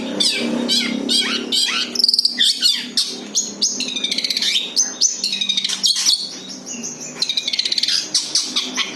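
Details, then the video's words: Long-tailed shrike singing its plain song, no imitations, used as a lure: scratchy harsh notes mixed with buzzy sweeping phrases and bursts of rapid chattering. "SUARA ASLI BURUNG CENDET TANPA ISIAN COCOK UNTUK PANCINGAN"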